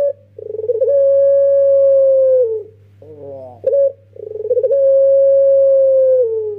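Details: Pelung song of a young Barbary dove used as a lure: two long humming coos with rapid-pulsed starts and falling ends, between them a rough tremulous phrase and one brief bright note, low hum behind.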